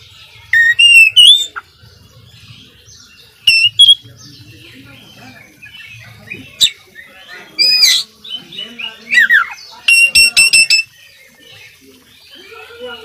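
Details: Varied, chatty oriental magpie-robin song from a tutor recording: whistled slurs, sharp chips, soft twittering between bursts, and a quick stutter of clipped notes near the end, with a low hum in places.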